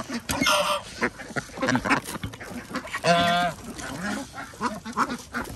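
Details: Feeding-time flock of farm ducks, alongside geese and chickens, on a village organic farm in Andhra Pradesh; overlapping harsh quacks with a prominent drawn-out honking call midway.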